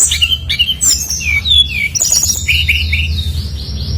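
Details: Brown-chested jungle flycatcher in energetic full song, played as a lure to set other birds singing their mimicked phrases: rapid varied whistled notes and down-slurred chirps, some high and thin, tumbling without pause over a low steady hum.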